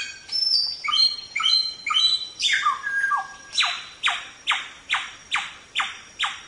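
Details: Mongolian lark (samyong), recorded for training other songbirds: a fast series of stepped whistled phrases with rich overtones, then a steady run of about eight loud downward-sweeping notes repeated roughly every half second.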